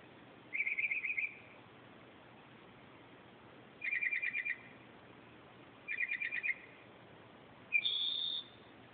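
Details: Northern mockingbird singing in the night at 2:30 am: three bursts of fast buzzy trilled notes about two seconds apart, then a higher clear whistled note, over a soft steady hiss.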